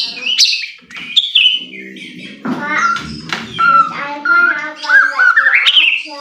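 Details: White-rumped shama song used as a lure to provoke another bird into singing: varied whistled and chattering phrases, some slurred notes and harsh bursts, with a low hum underneath.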